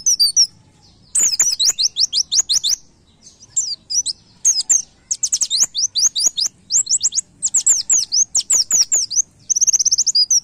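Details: White-eye (pleci) master song in 'nembak' style for training caged birds: almost continuous high, sharp, rapid chirp series, each note a quick downward slur, broken by short pauses, ending in a fast trill.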